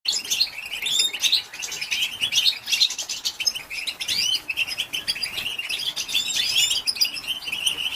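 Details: Female European goldfinch calling to excite and stimulate males: a dense, continuous stream of high, bright twitters and chirps with quick rising and falling notes, packed closely together with almost no pauses.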